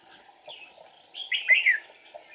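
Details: Red-whiskered bulbul singing as a trapping decoy on 8 April 2019 to bait wild rivals, with wing-flicking and tail-flicking; quiet start, then one loud, rich, slurred warbled phrase.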